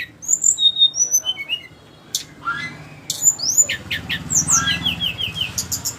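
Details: Flycatcher song: thin high whistled notes and short descending slurs, then harsh scratchy bursts and quick chattering phrases over a faint low background rumble.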